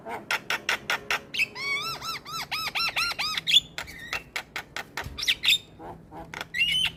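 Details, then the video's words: Starling lure song, used to draw other starlings and to get quiet starlings singing. Dense run of harsh squawks and clicks, then a series of arched, ringing notes repeated about five times a second, followed by more squawks and thin whistles. "Pancingan Segala Jenis Burung Jalak - Jalak Malas Bunyi / Jalak Pikatan Auto Nyaut"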